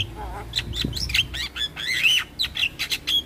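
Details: Javan myna (jalak kebo) in full, lively 'gacor' song meant as a tutoring recording to prompt other mynas to sing: a rapid mix of whistled slurs, buzzy chatters and sharp squeaky notes, with a brief low thump.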